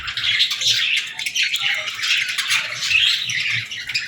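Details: Baby budgies and lovebirds feeding together, a thick, unbroken stream of high squeaky chirps and warbled twitters from several birds, loud throughout.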